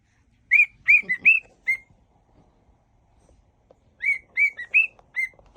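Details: Whistling cockatiel performing a mash-up of tunes: two bursts of five clear whistled notes, each slightly bending upward, separated by a three-second quiet gap with faint rustling.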